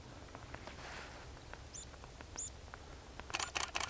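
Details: A Buff-bellied Pipit (Anthus rubescens japonicus) at Vikens hamn, Sweden, on 20 December 2010 gives two thin, high, sharp call notes about half a second apart, over soft hiss, then camera-shutter clicks.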